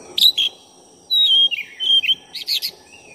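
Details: Black-breasted oriental magpie-robin in rapid song, used to raise another magpie-robin's aggression. Crisp chirps are followed by a long run of clear warbled whistles that rise and fall, then rough buzzy notes and a soft closing whistle.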